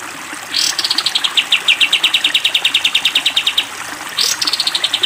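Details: Sooty-headed bulbul, caged, in 'tembak panjang' long trill style for training other cage birds. A rising whoosh leads into a three-second run of fast, slightly descending, repeated bright notes, then another whoosh and a trill.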